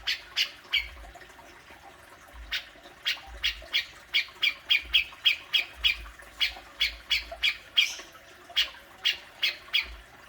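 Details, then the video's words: Grey-cheeked bulbul, meant to prompt a kept bird to vocalise: a long, fast run of about twenty-five harsh, chattering notes, quickening in the middle and then slowing, over a quiet background. "Burung cucak jenggot,besetanya luar biasa"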